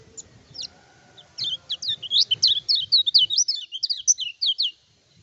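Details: Kecial kuning (lemon-bellied white-eye) singing hard as a lure for provoking opponents: isolated high chips build into a quick, jumbled stream of sliding, looping notes, faint low background noise beneath.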